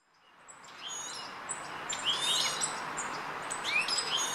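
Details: European goldfinch calls recorded on 1 August 2013 in Rombergpark, Dortmund, with a Panasonic Lumix GH3 camera; a quiet start, then short, high, rising chirps and thin twittering notes, a few bright upswept notes standing out, over soft background hiss.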